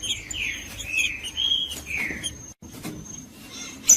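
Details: Green-winged saltator singing a Judas-style song, played to warm up a cold bird: a run of slurred whistled notes, some rising and some falling, over about two and a half seconds, then quiet clicking and a steady high tone.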